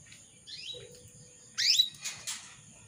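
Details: Female canary calling a male: a faint rising note, then one loud upswept chirp followed by short raspy bursts, over a low hum and constant high tones.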